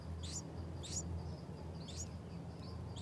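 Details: Four high, thin chirps from the nest of a yellow-vented bulbul pair feeding 6-day-old chicks in heavy rain and thunder, each note a brief sharp upward flick, spaced about half a second apart, low rumble beneath.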